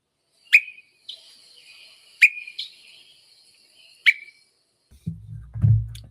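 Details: Swainson's thrush (Catharus ustulatus) on a woodland trail in spring migration gives its water-drop call: four liquid, drip-like 'boink' notes at uneven intervals, each a quick high note sweeping downward; a low rumble or voice follows.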